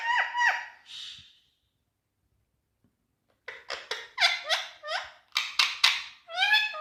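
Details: Green Indian ringneck parrot in India giving two ringing harmonic notes, a pause, then a fast, irregular string of sharp, squeaky, speech-like syllables.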